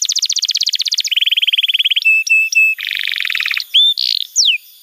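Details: Canary master song for juvenile training: a fast high trill dropping to a lower rolling trill, then separate flat whistles, a harsh buzzy section and a final sweeping note.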